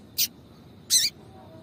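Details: Female yellow-bellied seedeater calling to get a male excited: two brief harsh chip notes, the second longer and slightly descending, against a quiet background with a constant thin high tone.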